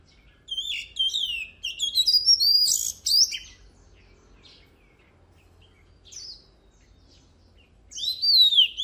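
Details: Oriental magpie-robin song for training competition birds: loud, fast phrases of sweeping whistles and buzzy notes, a quiet gap with a few soft notes, then another bright burst at the end.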